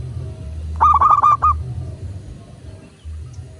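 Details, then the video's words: A single rolling coo phrase from a local zebra dove, used to trigger other doves to sing: about seven quick bubbling notes at one pitch, with low droning noise before and after. "Perkutut lokal gacor pancingan agar burung perkutut cepat GACOR dan BUNYI"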